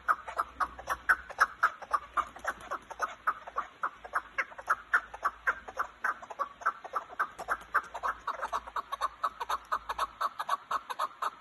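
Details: Kazakhstan chukar partridge, a dumastaka bird: a long, steady run of sharp clucking chuk notes, roughly two per second, keeping an even pulsing rhythm throughout with faint low hum beneath.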